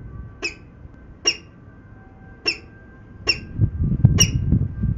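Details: Peregrine falcons at Venlo, 19 February 2021, 14:50: five harsh, clipped calls roughly once a second at an uneven pace, over a steady low rumble that swells toward the end.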